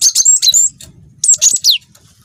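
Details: Cinereous tit, a young bird, singing actively: two fast bursts of high, shrill chips and slurred whistles, the second ending in a long downward sweep.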